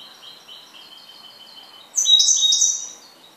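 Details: A goldfinch repeats thin, even ringing notes in a steady run, then breaks into a loud, bright tangle of twittering and buzzy trills near the end.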